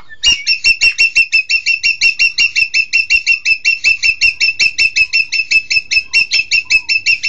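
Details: Green magpie, locally called engkek keling, giving a long fast series of harsh, squawky notes, about two to three per second, steady and evenly spaced throughout.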